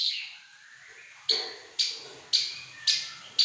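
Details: Pekin robin singing intensely, giving sharp, bright single notes repeated about every half second after a brief soft warble, each note clipped and loud over a faint background hiss.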